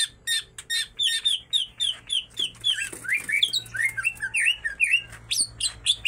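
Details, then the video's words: Greater green leafbirds, female and male, singing nonstop with kingfisher mimicry woven in: quick clicky chips giving way to a run of rising and falling slurred whistles, steady and bright throughout. "full isian tengkek cucak ijo betina dan jantan sama sama gacor"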